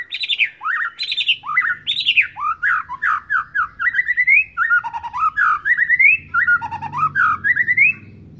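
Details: Young white-rumped shama from Sabang just learning to sing, giving a varied run of whistled phrases that swoop up and down, the notes rushing in quick clusters and later rising in short slurred steps.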